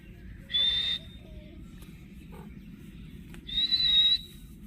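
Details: A green ringneck parrot kept as a talking pet screeches twice, each a shrill, flat, noisy note held for about half a second, with a quiet low hum between them.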